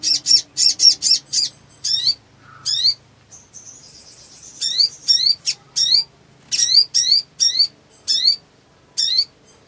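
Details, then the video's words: Black sunbird singing energetically as a lure: rapid high buzzy chirps, a low short note, a thin drawn-out high whistle, then many sharp downward-sweeping high notes repeated in irregular bursts. "SOGON GACOR FULL EMOSI NGLEPER ! PANCINGAN MACET BUNYI"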